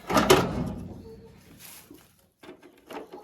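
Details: A sharp clunk opens the recording, followed by quieter rustling and a few brief knocking bursts. No animal calls can be picked out.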